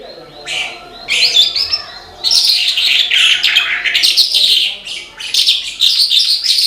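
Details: Energetic song of a Horsfield's bush lark: a few thin, high introductory notes, then a long run of rapid, scratchy twitters and whistled slurs that carries on with only short breaks.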